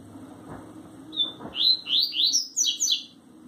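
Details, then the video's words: Coleiro (double-collared seedeater) kept by a keeper from Sergipe, Brazil, singing the tui tui zel zel song style: a high thin whistle, then a run of quick rising slurred notes repeated about three per second, with a faint low hum behind. "Coleiro tui tui zel zel lindo"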